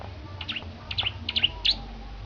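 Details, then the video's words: Bar-winged prinia from Petarukan, singing actively while being prepared for a songbird competition: short sharp chirps in quick clusters of two or three, rising and falling notes, with a low steady hum underneath. "Kicau Burung Petarukan Ciblek Gacor Persiapan Perlombaan"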